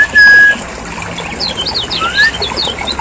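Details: Lemon-bellied white-eye from Lombok, lure recording. A flat whistle, then a short series of looping high chirps and a rising slurred note, fairly sparse against steady background noise.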